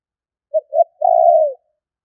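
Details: Spotted dove call used to lure birds: two short soft coos followed by one long, steady, low hooting coo, all clean against silence.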